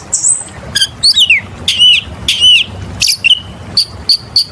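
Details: Oriental magpie-robin in full, continuous song used as a lure to set other birds singing: clear high whistles, sweeping slurred notes and sharp chips in quick varied phrases over a faint low hum.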